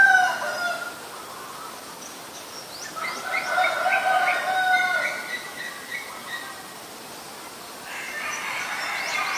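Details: Black-collared starling recorded in Ubon Ratchathani, Thailand, on 10 February 2023. It gives layered, harmonic calling notes, first in a short burst and then a longer mid-pitched stretch. Thin rising chirps from other birds sound high above.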